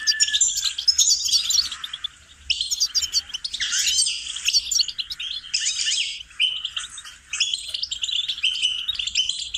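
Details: Goldfinch melody for songbird training: bouts of fast, bright twittering and clipped chirps, each a second or two long, with brief lulls near two, five and seven seconds.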